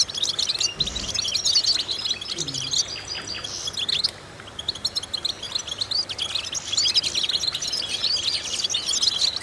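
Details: European goldfinch song played as vocal training to stimulate goldfinches. Fast, tinkling twitters and trills fill the first four seconds, then a short near-silent gap, then the chattering warble resumes. A few low thumps are heard early on.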